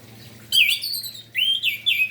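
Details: Orange-headed thrush singing in the morning to encourage other orange-headed thrushes to sing: loud, clear whistled phrases in three quick bursts, sliding downward, over a faint low hum.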